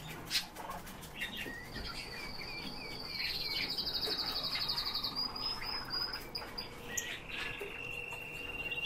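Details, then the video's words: Eurasian bullfinches filmed from about ten centimetres: a long, thin, buzzy trill held high for several seconds, then softer, lower whistled notes, with faint rustling behind. "Pyrrhula pyrrhula- СНЕГИРИ"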